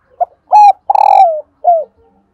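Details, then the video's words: {'caption': 'Female spotted dove call to prompt decoy males to coo: one short soft note, a strong rounded coo, a long buzzy coo trailing downward, then a gentler falling coo, clean and close.'} "Tiếng cu mái"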